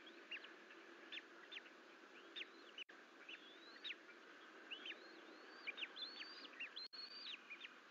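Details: Two Bald Eagle eaglets, twins left alone in the Fort St Vrain nest on 14 April 2024 while exploring out of the nest bowl; rapid series of thin, high, rising-then-falling chirps and squeals, several per second, over a steady hum.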